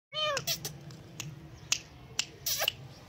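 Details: Indian green ringneck parakeet, a talking parrot said to imitate a cat's meow: a short harmonic wail opening with falling, curved sweeps, then sharp scattered clicks and taps against a low steady hum.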